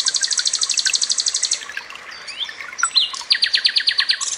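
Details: Common nightingale, mixed with water trickle and cililin phrases, used for training pet songbirds. A rhythmic high trill of evenly spaced notes, a few sweeping whistles, then another fast run of repeated chirps.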